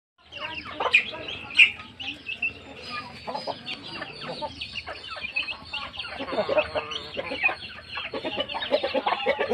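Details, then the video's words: Chickens at feeding time, a flock giving busy overlapping clucks and squawky calls throughout, with a few louder sharp notes early on and scratchy background noise. "FEEDING CHICKENS"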